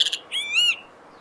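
A great kiskadee gives its loud, harsh three-part call: two quick scratchy notes, then a longer, drawn-out note that rises slightly before dropping away.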